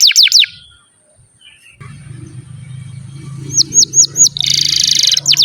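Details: Canary song played as a tutor for young and silent canaries: a few loud falling whistled sweeps, a pause with low rumbling hum, then more descending sweeps and a short rapid trill near the end.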